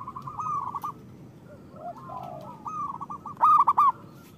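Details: Local zebra dove cooing as a lure for doves: soft rolling notes, a pair of drawn-out lower coos, then a brief loud burst of quick beaded notes near the end.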